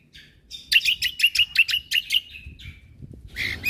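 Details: Cucak kombo in 'full isian tembakan' song, recorded for training caged birds: a rapid series of about seven bright, sharp whistled notes, a short falling tone, then a harsher burst at the end.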